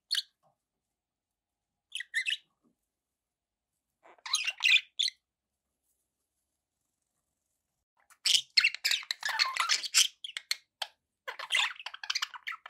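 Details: Pet budgerigars chattering indoors, with bursts of short squeaky chirps and scratchy warbles, sparse at first and then dense from about eight seconds on.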